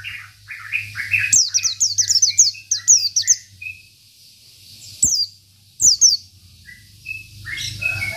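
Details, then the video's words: Local Oriental white-eye, singing to provoke rivals: a lively string of high, sharply descending whistles follows soft lower twitters, then single isolated high notes, over a constant low electrical hum. "PLECI BIKIN EMOSI LAWAN || Pleci Lokal || Pleci Isian"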